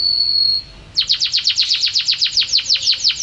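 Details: Champion canary singing: one steady high whistle, a short pause, then a fast run of bright downswept notes repeated about eight times a second for two seconds.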